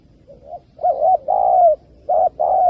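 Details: Spotted dove call used to lure birds into traps. A quiet rising note opens. Two loud phrases follow quickly, each a short doubled coo and then a sustained hollow coo that dips at its end.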